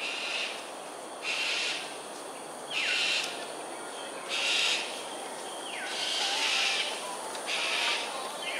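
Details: Cockatoos during an aerial display at Sungei Ulu Pandan, Singapore, on 13 January 2022 at 7:43 am: harsh, raspy screeches about every one and a half seconds over a constant hiss.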